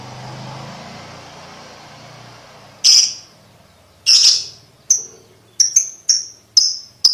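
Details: Lovebird ticking, meant to train young lovebirds: steady background noise at first, then loud harsh chips followed by sharp high ticks at irregular short intervals.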